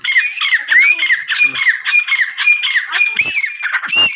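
Grey francolin giving loud, harsh, squawking notes in a rapid run, about three or four per second, with some ringing rising whistles mixed in.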